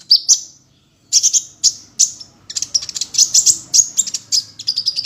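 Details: Sunbird known locally as kolibri ninja, glossy black with a reddish-gold head, singing a training song meant to prompt other sunbirds to sing: rapid high, sharp chirps and twittering bursts, clustered phrases after a short pause.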